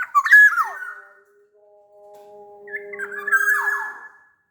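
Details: Black-naped oriole (kepodang) from Sumbawa, a big-bodied local type, singing actively as a lure for lazy birds: two rich fluty whistled phrases with slurred, falling ends, separated by a pause with faint steady low tones.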